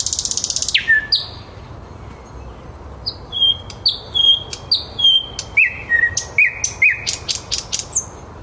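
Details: In Käpylä, Helsinki, at 21:30, a thrush nightingale sings live: a buzzy opening burst, then pure whistled notes in regular pairs and steps, closing with sharp clicking notes.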